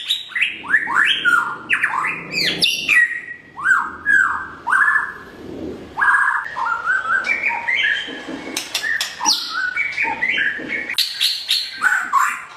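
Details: Morning song of a Blorok white-rumped shama, used as a training lure for kept birds: rich, rapid run of rising and falling whistled notes, some slurred downward, mixed with high ticks and chatter, nearly continuous.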